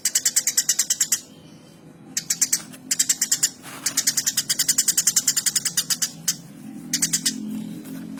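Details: Energetic chirping from a Eurasian tree sparrow: dense strings of clipped, bright chip notes in repeated bursts separated by brief silences, with faint low background noise.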